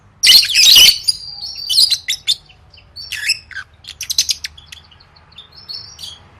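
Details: Lovebird trained for singing contests opens with a loud, grating chatter burst, then continues with softer, scattered chirps and short twitters that fade toward the end.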